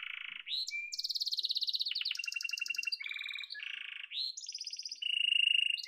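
A domestic canary sings a fast, unbroken run of bright trills and rolling tours, shifting pitch every second or so, from buzzy high notes to lower chattering phrases.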